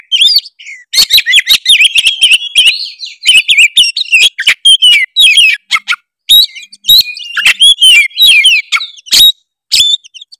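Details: Tretes oriental magpie-robin in loud, constant song stuffed with imitated fills, played to get rival birds singing; hurried chains of high chirps, squeaky slurs and clicks almost without break.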